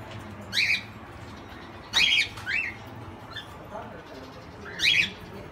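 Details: Aviary-kept Indian ringneck parakeet in Quezon City: loud, harsh, high squawks in short bursts, three strong ones about two to three seconds apart with a few softer notes between, over steady low background noise.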